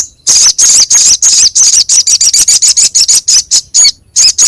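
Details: Crescent-chested babbler masteran used to train songbirds, voice rough and biting: a loud, continuous volley of harsh, high rasping notes, several per second, with one short pause near the end.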